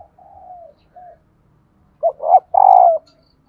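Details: Female spotted dove call, played to set males cooing. Soft drawn coos open the recording, then a louder burst follows: two short notes and a long rolled coo that drifts downward.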